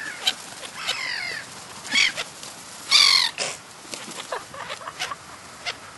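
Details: Wild black-headed gulls in the New Forest, Hampshire, England, in July 2009, giving several harsh, harmonic-rich calls at irregular intervals, with a longer grating call near the middle and fainter scattered sounds behind.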